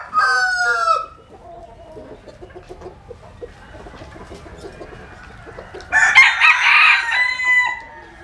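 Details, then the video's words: A rooster basking in the sun in southern Vietnam's Mekong Delta: the tail of one crow opens, quiet scratchy clucking follows, then a second loud raspy crow rises near the end. "Nghe Gà Gáy"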